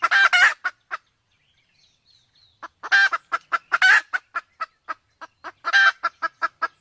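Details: Junglefowl from Sumatra, male and female, female in heat: clusters of harsh, raspy squawks and quick clucks, a silent gap of nearly two seconds, then renewed loud bursts followed by steady clucking.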